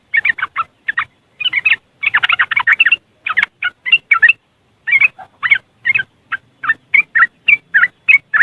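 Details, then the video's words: West Javan yellow-vented bulbul (trucuk), phone-recorded, giving dense riwikan chatter meant to rouse caged birds: fast clusters of scratchy, warbling notes, then evenly spaced single chirps repeated about three times a second. "Suara Riwikan Burung Trucuk Sangat Jos Buat Pancingan"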